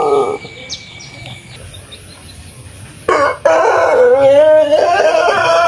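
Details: Pelung chicken from Cianjur, West Java, an Indonesian ornamental breed, crowing after a quiet opening with faint sounds: a sudden loud onset, a short gap, then a rippling, undulating drawn-out tone carrying to the end.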